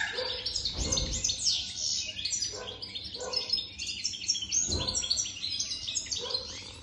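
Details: European goldfinch, over three years old, pouring out a continuous rapid twittering song of bright chirps and short trills, with a few low thumps underneath.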